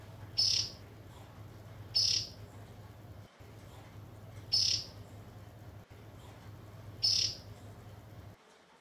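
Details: Baby Oriental magpie-robin calling: four thin, high, short chirps, each about a quarter second, spaced roughly two to three seconds apart, over a steady low hum.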